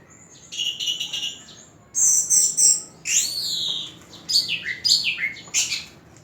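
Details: Prize-winning orange-headed thrush singing varied, clear phrases: a fluttering trill, then loud descending and rising whistled slurs and quick chirps, separated by brief silences.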